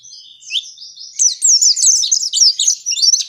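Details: Oriental white-eye giving extended 'ngalas panjang' singing used as a lure for captive birds: soft thin notes at first, then a dense, bright cascade of high chattering whistles.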